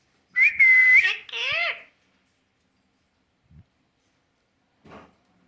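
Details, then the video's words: Parrot giving a sharp, steady, high whistle that runs straight into a few quick, wavering, nasal calls, then soft clicks and taps in near silence. "Parrot kaise baat karta hai"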